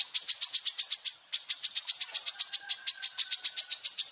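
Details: Tutor recording of greater green leafbird song for training other birds: a fast, steady series of sharp, very high chip notes, about five per second, with one short pause after the first second.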